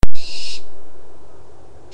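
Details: A Barn Owl gives a harsh, hissing, piercing shriek lasting about half a second, like someone screaming, then a fading tail before the next scream begins.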